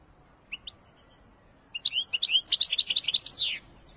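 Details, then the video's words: European goldfinch of the type called Wedani, singing: two short high chirps, a pause, then a fast run of liquid, twittering notes that grows denser and ends in a sweeping, slurred phrase. "أقوى تغريد الحسون الويداني"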